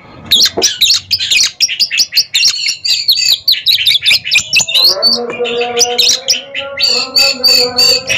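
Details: Two competing Oriental magpie-robins in a song contest duel, pouring out rapid, high, sharply clipped chirps and shrill rattling notes. Later, a steady lower tonal drone and whistled notes run beneath the continuing bird song.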